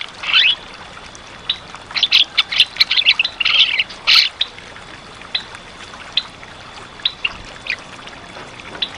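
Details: Javan myna singing actively, recorded as tutor material for stalled cage birds: a clustered burst of harsh, buzzy chatter and rasps in the first half, then sparse short notes over steady hiss.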